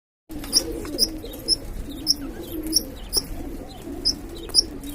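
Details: Budgie chicks, nine babies from two pairs, give short, sharp high chirps about twice a second over a low, soft murmuring.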